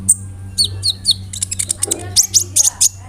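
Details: Kolibri ninja sunbird singing 'roll nembak' style with cricket, cililin and sparrow insertions. High sharp chirps and short downward whistles repeat about twice a second over a low steady drone.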